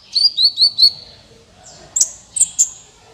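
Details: Sunbird lure for trapping birds: four quick high whistled chirps in a row, a pause, then a few sharper high ticks.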